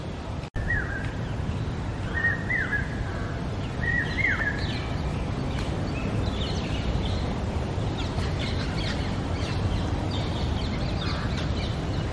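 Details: Brain fever bird, the common hawk-cuckoo, heard in Indian forest giving three sharp rising whistled phrases early on, each climbing steeply, then fading among scattered distant chirps and a steady background hiss.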